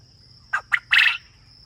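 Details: Quail calling on a farm: three sharp, rasping notes, two short clipped ones followed by a longer buzzy burst, over a steady thin high whine and a faint low hum.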